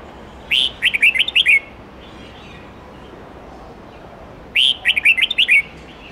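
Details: Red-whiskered bulbul singing a wild-standard song style of 8 to 10 notes, used to train young birds; two bright warbled phrases of about six quick rising-falling notes, about four seconds apart, over quiet background hiss.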